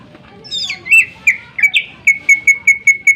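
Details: Greater green leafbird in full, sharp song, used to provoke other birds into singing; a few sliding notes give way to a fast run of short, even whistles repeated roughly three times per second.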